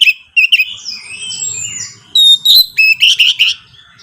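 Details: Lure recording of orange-headed thrush song for a caged bird: slurred whistles and long gliding notes, then a lively series of six loud, evenly spaced chirping phrases.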